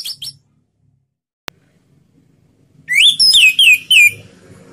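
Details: Orange-headed thrush in slow "ngeplong" song used as a lure for other birds: brief high notes, a click, then a phrase of four or five rising and falling whistled slurs.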